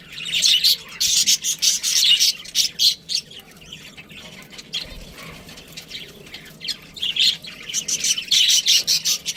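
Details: Pet budgerigar chirping in bursts of high, raspy twitter. A quieter stretch in the middle is followed by a renewed run of quick sharp chirps.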